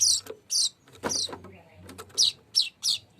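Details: Weaver delivering a song: sharp high chirps, each descending, in spaced bursts, with a few softer lower notes in the middle of the sequence.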